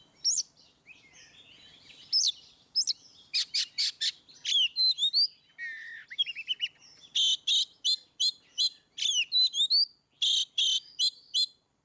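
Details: Oriental magpie-robin in the energetic ngeplong singing style, used to prompt birds that rarely sing: loud varied song mixing slurred whistles, sharp rising notes and bursts of harsh buzzy broadband notes in quick series, with brief pauses between phrases.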